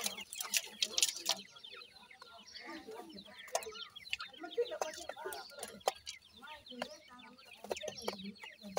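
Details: Numerous grey francolin chicks, called Irani teetar young, peep constantly in thin falling chirps. Clicks and faint voices come through in the background.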